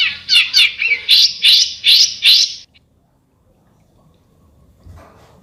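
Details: Seven loud, harsh, scratchy notes of besetan bird song in quick succession, followed by near silence with faint background rustle.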